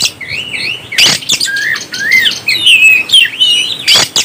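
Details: Oriental magpie-robin singing to rouse other birds: sweet wavering whistles and looping warbled phrases broken by two loud snapping clicks.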